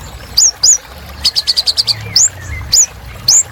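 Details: Kolibri ninja sunbird singing energetically, used as therapy for caged birds that stopped singing: sharp high upslurred whistles and a quick run of six even high notes, with faint low rumble behind.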